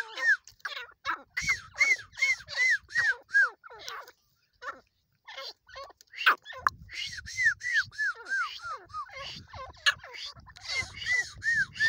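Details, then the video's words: Irani teetar calling: a series of loud arched whistled notes, each rising then falling, repeated about two per second in bursts separated by short gaps, with clicks and low thumps in between. "irani bird teetar ki awaz teetar sound teetar voice"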